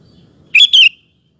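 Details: Sooty-headed bulbul, song used as a lure for other males: one crisp whistled phrase of two notes, the first lifting, the second falling, over faint low noise.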